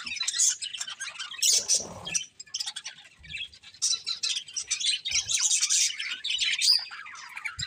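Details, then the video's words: Colourful budgerigar breeding pair giving bursts of rapid high chirps and twittering warble, a brief rustling flutter around the second mark, then a short near-quiet gap before the lively chattering resumes. "Colourful Budgies Chirping Sounds"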